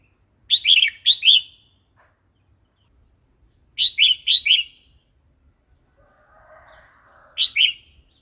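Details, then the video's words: Red-whiskered bulbul in wild-style song (phleng pa), for training chicks and wild-caught birds, repeating a phrase of three or four quick, bubbly notes roughly every three seconds, with a faint low murmur between phrases. "เสียงนกกรงหัวจุก เพลงป่า"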